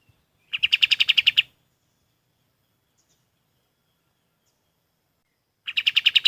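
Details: Golden-bellied gerygone (kapas tembak) recorded for training other birds. Two quick series of about nine sharp, high, regularly pulsed notes, each lasting about a second, are separated by roughly four seconds of near silence.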